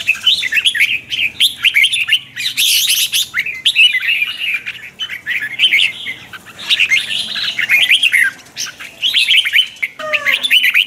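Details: Red-whiskered bulbul singing in the morning for song training, a twisted-voice chattering lure song: nearly continuous run of quick warbled and slurred notes in short clusters, with a brief buzzy burst near the middle.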